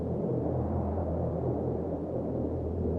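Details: Only a steady low rumble like wind or engine noise is heard, with no penguin or other animal calls.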